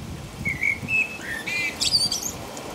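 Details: Brief burst of blackbird song in nighttime rain in England, about 5 a.m.: a few low whistled notes rising into a high squeaky twitter, steady rain audible throughout.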